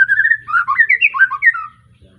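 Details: Recently moulted juvenile White-rumped shama of Tangerang Arko stock, kept in Pemalang, gives a brief rich warble of mellow, slurred whistles rising and falling, ending abruptly.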